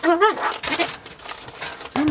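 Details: Pet Ducorps's cockatoo (Solomons cockatoo) lying down in its cage, behaviour owner suspects is linked to breeding season, giving soft, wavering whines that bend up and down, broken by breathy rasps, with a final short rising-falling note.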